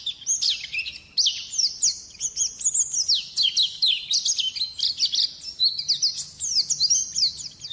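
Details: Persistent champion white-eye song: fast, high-pitched twitters and sharp downslurred notes run together in loud, almost unbroken phrases.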